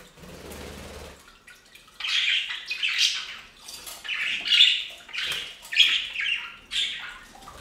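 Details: Pet budgerigars taking a bath on a fountain; after a second of splashing water, a run of scratchy warbling chirps and squawks follows, rising and falling in short overlapping bursts.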